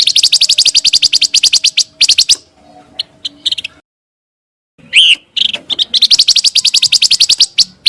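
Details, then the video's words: Scarlet minivet lure song for training competition shamas: fast, continuous strings of sharp high chips, a short break, then a swooping whistle leading into another long rapid chip series. "PANCINGAN SUARA BURUNG PANCAWARNA"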